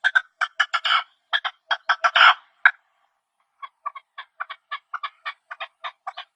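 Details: Partridge chirps from the wild: a loud burst of rapid, harsh notes, a pause of about a second, then softer, evenly spaced raspy calls continuing to the end.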